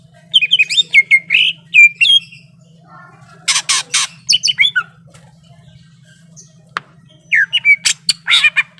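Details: Greater green leafbird said to be ready to fight, with quick whistled phrases, then loud harsh scratchy bursts, a silent gap, and more whistles and rasps, over a low hum.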